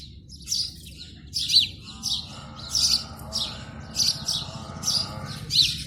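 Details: In the morning a sparrow sings on its nest in India, giving loud high chirps in an even series about every half second, accompanied by a long buzzing drone and faint low rumble.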